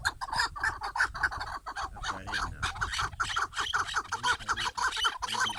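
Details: Chukar partridge song: fast series of coarse, clucking 'chuk' notes, roughly two per second, several birds overlapping, with a light background rumble.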